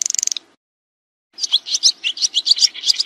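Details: Swiftlet sounds for tutoring kacer and murai birds: a fast clicking rattle stops, a second of silence follows, then a run of sharp high twittering chirps at a quick, uneven pace.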